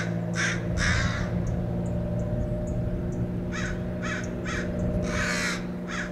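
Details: American crows mobbing and dive-bombing a Red-tailed Hawk perched by a roadside in Del Monte Forest, California: harsh, hoarse caws in short bursts, some doubled, over a steady low engine-like hum.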